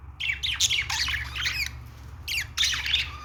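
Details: Pet budgerigar warbling: chattering, squeaky high notes and short scratchy squawks in two bursts with a low background hum.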